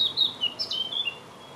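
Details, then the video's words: Eurasian blackcap song recorded in May 2018: a short burst of bright, clear whistled notes sliding up and down, ending abruptly and followed by quiet. "Blackcap Song"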